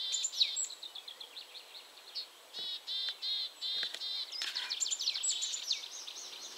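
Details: Willow tit contact calls, with an annoyed great tit calling: nasal, buzzy notes repeated in short series, plus sharp thin chips and clicks from the other bird, over a steady background hiss.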